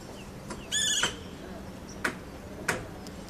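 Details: Rouget's rail (Rallicula rougetii), an Ethiopian endemic, calls a single shrill, nasal, slightly falling note lasting about a third of a second, followed by a few sharp clicks.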